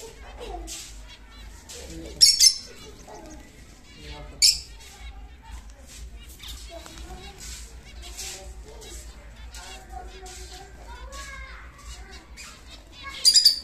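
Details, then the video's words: A pet Lutino lovebird in Muzaffarpur, Bihar, sings indoors, chattering in rapid, squeaky high chirps and twitters with a few louder shrill squawks over a faint background. "Lutino Love Bird singing"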